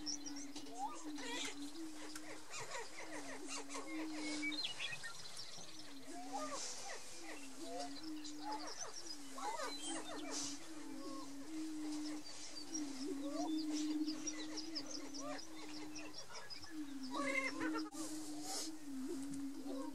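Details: Male greater prairie-chickens in courtship display on a Colorado lek in March–April boom in low, hollow, overlapping moans, with sharp cackles breaking through, as they compete for females.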